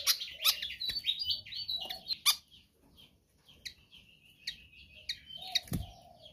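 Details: Pied fantail song for training other birds, recorded softer: twittering high notes and a wavering trill, with sharp clicks and a low background hum.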